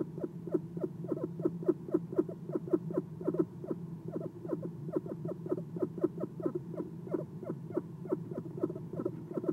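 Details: Eastern screech owl at a nest box in the early hours, 11-6-2016, on a perch giving soft chirps: rapid series of short, downslurred low notes, about four per second, steady throughout over a faint low hum.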